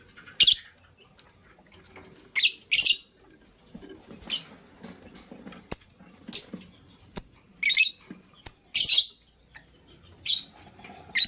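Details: Green lovebird chirping in the morning as a blue lovebird scrambles for vegetables; sharp, squeaky single and paired chirps repeat irregularly, with faint clicks and tapping between calls.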